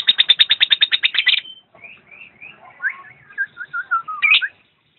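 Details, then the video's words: Lovebird singing: a rapid run of a dozen loud, shrill chatter notes, then softer twittering, a series of short downward-slurred whistles and a final harsh squeak. "Video kicau burung Lovebird"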